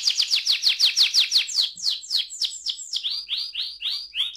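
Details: Canary singing in the rolling 'ngerol' style, used as a lure to stimulate other canaries to sing: a rapid series of sharp, high downslurred notes at about eight per second, then slower, fuller swooping notes.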